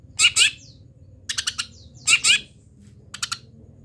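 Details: Long-tailed shrike singing through its molt, a local bird mimicking wild birds: paired loud harsh squawks alternate with quick stuttering triplets of high notes.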